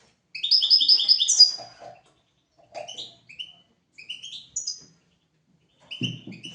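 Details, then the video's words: Goldfinch song recorded to teach goldfinches and canaries: a quick rippling trill of repeated high notes, then spaced short chirps and twitters, ending with a soft rustling thump. "تغريد طائر الحسون"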